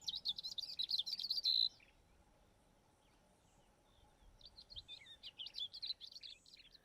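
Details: A Woodland Kingfisher calling in summer at Welgevonden, near red hartebeest, gives a fast, high, rattling trill that ends on a drawn-out note, then a second jumbled burst after a short pause.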